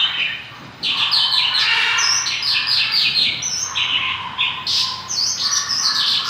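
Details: Mongolian lark in full, vigorous song: after a quiet first second, a rich continuous run of trills, buzzy rattles and sharp high whistles, some notes sliding downward, with no pauses.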